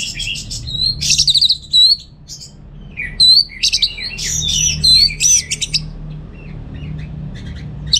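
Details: Orange-headed thrush (anis merah) kept at home in North Bali, singing a varied, rapid song of high whistled and chattering notes with sharp rising and falling slurs, broken by short pauses; low hum in the background.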